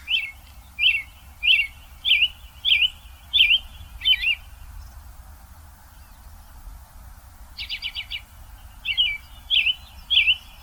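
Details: An American Robin in Vancouver, during the nesting season, carols in short, slurred whistled phrases about twice a second, breaks off, then adds a high, thin, stuttering note before resuming.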